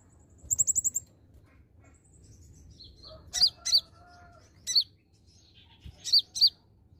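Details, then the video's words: Lure recording of an olive-backed sunbird: a fast rattle of high chips at the start, then doubled sharp high notes repeated in spaced pairs through the rest of the clip. "kolibri ninja (konin) ijoan gacor pancingan ampuh konin bahan langsung nyautt"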